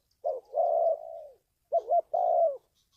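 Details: A low, husky coo from a spotted dove, meant for training a decoy bird and attracting wild doves to a trap. A clipped note leads into a long coo, then a doubled note and one more drawn-out coo.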